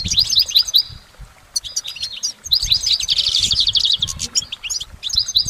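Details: Goldfinch singing in nature. A few bright chirps open, followed by a brief lull, then a dense burst of fast liquid twittering and buzzy trills with tinkling notes to the close.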